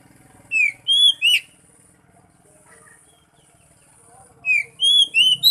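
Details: Oriental magpie-robin song used to encourage a silent bird to sing: two phrases of strong, sweet whistled notes with sharp upward and downward inflections, separated by a quiet pause with a faint low hum.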